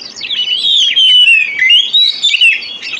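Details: White-rumped shama lure song for encouraging other birds to sing, a continuous loud stream of high slurred whistles and rapid warbling notes.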